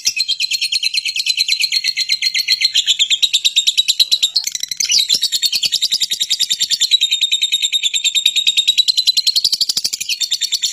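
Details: Lovebird described as a fighter, calling as a lure that draws other lovebirds to answer and sing. An unbroken, shrill, buzzy chatter of rapid pulses lasts throughout, wavering slightly in pitch midway.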